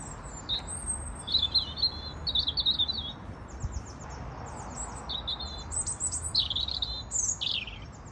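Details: A European robin in a local London park sings short, high, tumbling phrases of thin whistles and quick trills, separated by brief pauses, over a low distant rumble.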